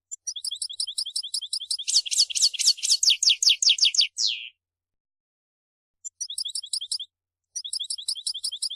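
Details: European goldfinch in a forceful singing display: quick chattering twitter phrases, a dense burst of loud tinkling rising notes ending in a short downslurred buzz, then a silent pause before the twittering resumes twice.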